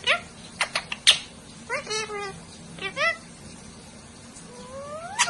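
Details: Parrots talking to each other, with sharp clicks, stacked harmonic squawks and a long rising whistle near the end, over steady low background hum.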